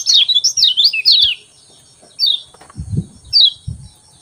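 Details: Morning 'ciak ciak' song of a lemon-bellied white-eye: a quick run of thin, sliding high chirps for about a second, then two short separate phrases, with dull low thuds in between.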